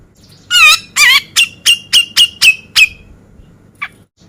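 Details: Energetic male Grey-cheeked Bulbul, beset ngepik style, recorded as tutor for contest birds. Two harsh, wavering buzzy notes lead into six sharp, slurred notes at steady intervals, then one faint final note after a pause.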